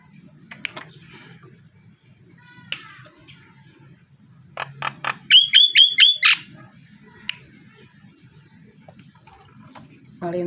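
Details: Nias hill myna male, mostly quiet with scattered clicks, then a brief burst near the middle: a few clipped notes and a quick series of ringing whistled pulses before falling silent again.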